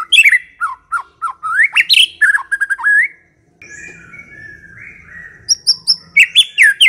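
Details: White-rumped shama song played to lure other shamas: varied slurred whistles and sharp chips, then a soft low warbling passage and a burst of high thin notes at the end.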